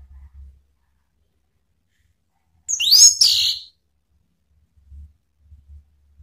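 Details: Orange-headed thrush calling to provoke rival birds: one brief, high, sharply rising then falling note, with a quiet gap before and after and faint low thumps.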